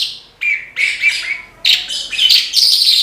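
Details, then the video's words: Oriental skylark, known locally as branjangan, delivering quick high twittering phrases with buzzy trills and short whistled notes, in bursts separated by brief gaps. "BRANJANGAN GACOR TIADA LAWAN"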